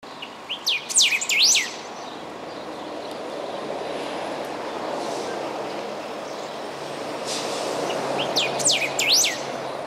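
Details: Golden-billed saltator (subspecies parkesi) singing beside road RS 392, km 140, Canguçu, Rio Grande do Sul, 4 September 2016, filmed with a Panasonic Lumix camera; two bursts of sharp, sweeping whistled notes, near the start and the end, with steady background rumble.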